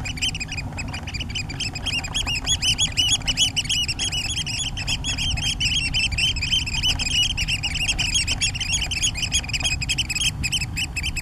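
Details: Eurasian oystercatcher: a dense, continuous stream of shrill, high piping notes, several per second, overlapping as if more than one bird calls at once, over a steady low rumble of wind or surf.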